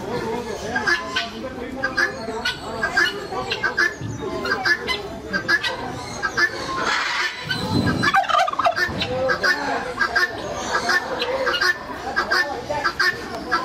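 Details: Captive turkey at a mini zoo and aquarium in Hebbal Industrial Area, Mysore, gobbling amid a busy background of other birds' chatter and calls, with a louder low burst around the middle.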